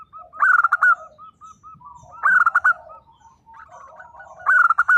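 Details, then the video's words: Local zebra dove singing actively, with loud clipped phrases of rapid, rolling coo notes repeated about every two seconds and softer even coos filling the gaps between them. "perkutut lokal gacor _suara nembak perkutut lokal bisu_"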